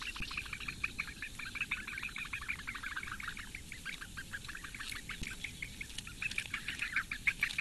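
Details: Eurasian bittern chicks, four nestlings, clamouring while the female feeds them in reedbeds of Lake Engure, Latvia, on a May 2017 morning. Dense scratchy chirps pour out continuously, growing louder toward the end.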